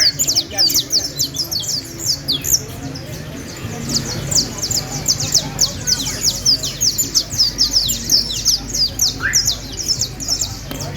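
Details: Canary from Valledupar delivering a long, unbroken stream of shrill, quickly repeated chips and descending whistles, dense and energetic throughout, with faint low-pitched background noise.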